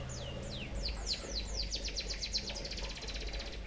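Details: A white-headed munia delivers canary-influenced song for training other birds: slow, high descending whistled slurs that quicken into a fast, even, chattering trill held for over a second, with steady low-pitched noise beneath.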